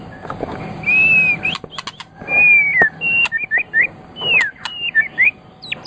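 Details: White-rumped shama kept as a pet songbird, singing long clear whistles that fall slightly, then short upslurred chips and sharp high ticks in a varied, stop-start phrase.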